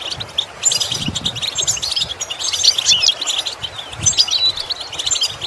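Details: Goldfinch song for training caged singers: a fast, jangling stream of twittered and tinkling notes, steady and busy throughout, with a few dull low knocks underneath.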